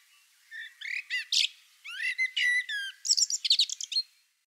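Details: Melodic blackbird song, the male's conspicuous voice: several rich whistled notes and slurred warbles rise into a fast, high, scratchy twitter at the end of the phrase, with a clean quiet background.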